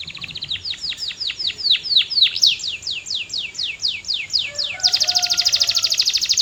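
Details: Singing canary delivering a steady series of bright downward-sweeping whistles, several per second, followed by a very fast high buzzy trill, with faint lower whistled notes beneath.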